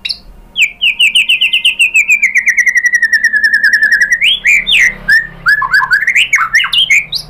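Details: Lure song of a white-rumped shama (murai batu) for prompting other birds to sing: a long rapid trill of repeated notes slowly dropping in pitch, then a burst of varied rising and falling whistled phrases.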